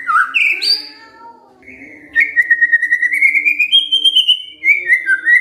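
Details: Shama, the white-rumped kind, in kretekan fighter song intended to trigger answers from silent birds: brief slurred whistles, a quiet gap, then a long rapidly trilled whistle rising gradually before falling notes.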